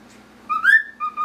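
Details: Short fragment of a male grey cockatiel's whistled Pop Goes the Weasel, sung for a fellow male: one upward-sliding clear whistle followed by a shorter steady note.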